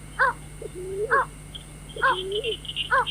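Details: Night-trapping lure of a white-breasted waterhen: paired sounds repeat steadily, a low rising groan then a loud harsh stacked squawk, under a background of high twittering and steady electrical hum.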